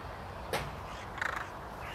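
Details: A hooded crow (Corvus cornix) that has found good food gives one short, harsh caw, then a quick run of rough, clipped notes about two-thirds of a second later, over a steady background hiss.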